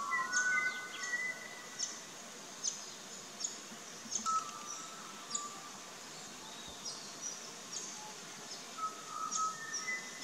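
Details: Pied butcherbirds in an Australian backyard garden: scattered pure, fluted whistles, some sliding or held, drift between sharp, high chirps of other small birds repeating every second or so.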